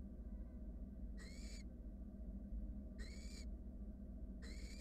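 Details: Wild barn owl nestlings in a monitored nest box, cuddling while a sibling slowly swallows a rat: three harsh, hissing rasps, each about half a second long, roughly every one and a half seconds, over a steady low hum.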